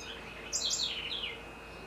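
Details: Great kiskadee, locally called bem-te-vi, in Florianópolis, Santa Catarina, Brazil: one loud, harsh, buzzy call lasting under a second that slides downward from high to mid pitch, over a low hum and faint background chirping.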